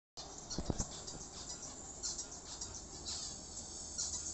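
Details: Zebra finches in breeding time chatter with dense, nasal, buzzy chirps over a steady background hiss.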